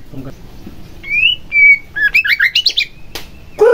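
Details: White-rumped shama singing to rouse a quiet rival: two pure whistled notes, one rising and one level, then a rapid chain of bright chirps, a sharp upward note and a lower throaty ending.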